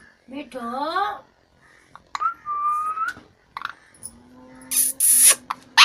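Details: Talking parrot giving a wavering, harmonic, voice-like sound, then a steady whistled tone about a second long. Short squeaks and bright noisy bursts follow, with a person saying "me too" nearby indoors.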